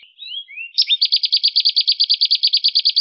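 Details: Canary song for training songbirds to sing: soft gliding whistles lead into a sudden loud, even trill of quick chirps at high pitch.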